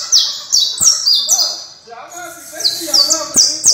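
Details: Song of a canario criollo: fast series of high, falling whistled syllables, a quieter warbling passage in the middle, then the rapid falling notes resume, with faint clicks.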